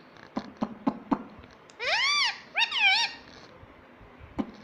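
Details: Green ringneck parrot kept as a pet, talking "mummy" and "papa": two arched, ringing syllables in quick succession, framed by rhythmic tapping clicks indoors.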